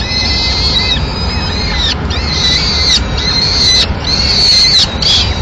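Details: Peregrine falcon at a Madrid nest on 25 April 2016, the female feeding the chicks with a pigeon while the male has left. Loud, grating, drawn-out calls with arched pitch, about four in succession, each near a second long.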